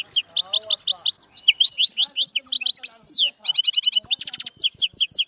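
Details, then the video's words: Rapid, bright twittering song of a European goldfinch, high notes tumbling in quick runs with a few downslurred whistles and a short nasal buzz near the end, continuing almost without pause. "تغريد طائر الحسون | فيديو رائع لتغريد الحسون"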